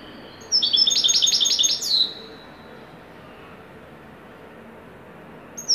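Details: Moroccan European goldfinch of the widani type, singing a joyful song: a quick burst of bright, high, tinkling twitters lasting about a second and a half, then quiet until one short note near the end.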